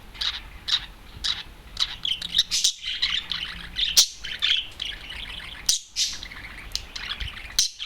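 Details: Adult male budgerigar released alone from its cage, perched on a TV, sings a loud high twittering stream of chirps and scratchy buzzes, interrupted by a few short silences.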